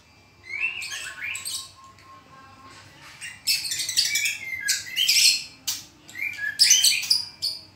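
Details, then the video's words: White-rumped shama singing in the trotolan style: bursts of varied chirps, sharp high notes and quick trills, broken by a short pause early on, then dense rapid phrases over a faint low hum. "BUNYI BURUNG MURAI BATU TROTOLAN"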